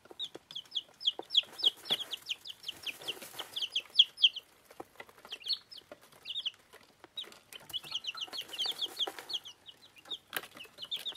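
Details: Bantam chicks a week old, dwarf Plymouth Rocks and Rhode Islands, peep busily while eating: rapid bright chirps in runs of several seconds, a quieter gap in the middle, and scattered clicking pecks.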